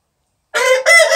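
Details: Orpington rooster crowing, a brief harsh crow in two loud segments with a short break, close and clear.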